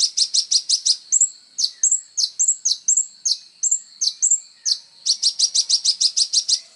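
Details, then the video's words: Kolibri ninja sunbird song for training songbirds: bursts of fast, high, evenly spaced notes frame a middle section of sharp falling chirps alternating with thin level whistles. "SUARA BURUNG KOLIBRI NINJA GACOR FULL TONJOLAN"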